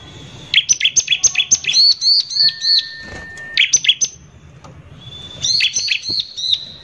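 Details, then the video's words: Bar-winged prinia song in the rough 'nembak kasar' lure style meant to anger rival prinias; a brisk run of piercing chirps, a long level whistle, then a final chirping burst after a pause. "PANCINGAN CIBLEK GACOR NEMBAK KASAR INI PALING BISA BIKIN CIBLEK EMOSI"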